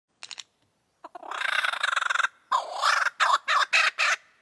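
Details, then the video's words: Lyrebird singing: a brief buzzy burst, then a long harsh rattling churr, followed by a series of loud clipped harsh notes, about eight in quick succession. "lyrebird video"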